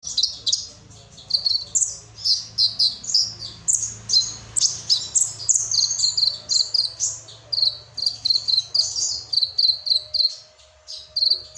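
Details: Kolibri ninja sunbird singing a cricket-style fill: rapid, high, thin chirps and short trills, quick buzzy notes repeated in bursts throughout, with a faint low hum underneath.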